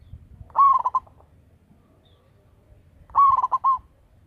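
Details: Local zebra dove with a big, active voice, kept as a lure bird. Two coo phrases come about two and a half seconds apart: a rising opening, a run of quick stuttering notes, then a final sustained note.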